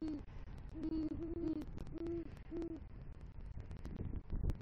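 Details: Male great horned owl hooting at a Southwest Florida nest after delivering a rodent, calling for his mate at night in November 2023; a run of five deep, muffled hoots, some doubled, then crackling noise and a low thump.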